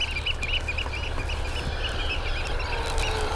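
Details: Eurasian oystercatcher giving loud, repeated piping calls over heavy wind rumble, early on a summer morning at Lodmoor, Weymouth, Dorset, UK.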